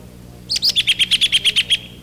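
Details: A male American robin in spring, near its nest in a scrubby apple tree at a lawn's edge, gives a loud whinny, a rapid run of about ten sharp, high notes over just over a second, slightly descending at the start.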